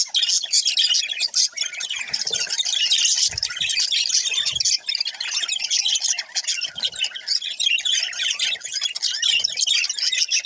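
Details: Budgerigars together producing an unbroken, dense stream of warbled chirps and scratchy chatter, loud and high, with faint low knocks now and then.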